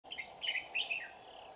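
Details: Red-whiskered bulbul, a decoy bird used for trapping, recorded on 30 July 2019 in Vietnam; short bright slurred whistled phrases in quick bursts, rising and falling, over a constant high insect buzz.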